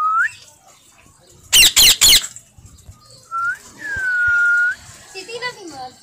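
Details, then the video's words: A pet parrot calling: a short rising whistle, then three loud harsh squawks in quick succession, another brief whistle, a long steady whistled note, and a few chattering, warbled notes at the end; quiet background otherwise. "My Cute Parrot Natural Sound"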